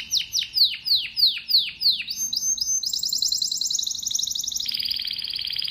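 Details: Singing domestic canary: rhythmic descending swooped whistles, about three per second, then quickening into very high, dense, rattling trills that drop slightly in pitch toward the end, with no other sounds.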